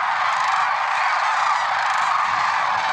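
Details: Lesser sandhill cranes, Merced National Wildlife Refuge, early morning on February 6, 2023; a short stretch of thick, overlapping bugling and rolling calls at constant volume.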